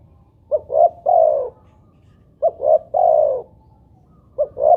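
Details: Spotted dove (tekukur) playback coo; mellow low phrases of two brief notes followed by a longer, slightly falling coo, repeated about every two seconds.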